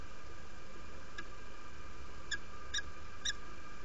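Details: Female peregrine falcon at the nest in Derby, UK, morning of 17 February 2017, inviting after arriving: one faint call then three short ringing harmonic notes in quick succession over a constant hum.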